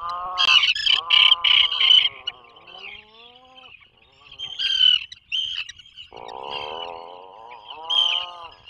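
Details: Nesting burrow of Atlantic puffins off Maine during the 2024 breeding season: pulsing harmonic moans and a sliding descending groan, then a long steady moan, over a shrill constant whine.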